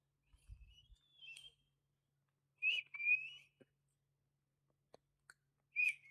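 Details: Talking pet parrot indoors giving a few clear, high whistled notes, the first gliding slightly upward, the others held steady, separated by pauses with soft low knocks and clicks between them.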